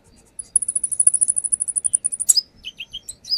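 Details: Brown-throated sunbird lure song: a fast, even, very high-pitched trill of about two seconds, a sharp burst, then several short lower whistled notes.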